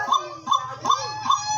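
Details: A captive white-breasted waterhen kept as a hunting decoy bird, filmed on 10 March, about two months into winter, gives four loud, harsh, mid-pitched notes, one roughly every 0.4 seconds; its owner says it calls in any season. A man's voice is faint underneath.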